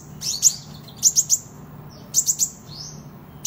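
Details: Sunbird sounding off with short, very high, sharp chirps in quick clusters of two or three, separated by brief pauses, with faint thin notes between them and a low steady hum beneath.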